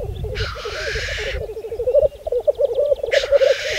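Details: Spring 2014 lek of black grouse on Saaremaa, Estonia: steady rolling, bubbling coos underneath two harsh hissing 'tchu-shee' rushes, one early and one at the close.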